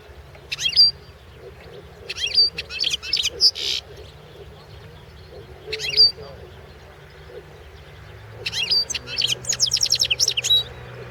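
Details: Competition song of a European goldfinch, 2016 world championship entry: scattered bursts of high tinkling twitters and clear whistled notes, then a longer run of rapid chattering phrases toward the end, with quiet gaps between.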